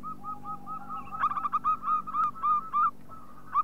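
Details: Zebra dove of a local strain, sung as a lure: quick run of short, clipped coo notes that becomes louder and fuller, over a thin steady tone and a low background hum.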